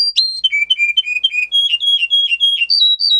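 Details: Russian singer canary, a breed developed in Russia for singing: a run of short whistled notes falling in pitch, then rising again in quick steps, each note clear and bright.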